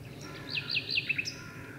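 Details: Nightingale singing in the gloaming, concealed in birch bushes where two birds sing: a brief run of looping, whistled notes followed by two quick chips, over a steady low hiss.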